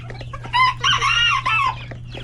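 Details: Rooster among chickens and chicks in a busy coop at lunch time: loud harmonic crowing in three drawn-out phrases, with chick peeps and clucks around it and a constant low hum.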